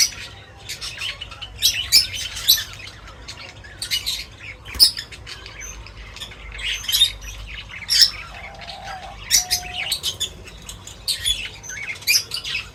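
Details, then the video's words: Chirping birds while feeding: repeated clusters of sharp, high tweets and harsh squawky notes every second or so, plus two short flat whistles midway and faint rustle. "Crazy Birds Feeding Reaction : Birds Chirping Sounds"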